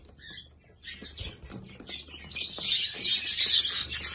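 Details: Rainbow-coloured budgerigars chatter in a dense, high, scratchy stream of chirps and warbles that grows louder and busier partway through, with faint rustling and wing flutters.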